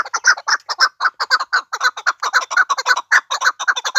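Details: Chukar partridge in the Pamir calling in a steady run of short, clucking chuk notes, roughly two per second, each a hoarse burst with a ringing upper edge; nothing else intrudes.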